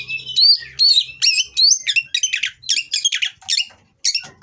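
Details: Oriental magpie-robin kept in captivity and in breeding condition, singing coarse song material to provoke rivals: a fast, varied string of sharp whistled phrases with upward slurs and chattering notes, briefly pausing near the end, with a faint low hum beneath.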